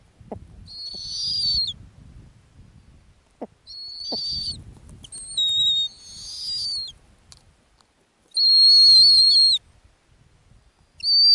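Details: Snowy owl at its ground nest in the Arctic gives a series of loud, high, wavering whistles in bursts of one to two seconds, some with short downward slides, separated by brief quiet gaps and soft low rumbling.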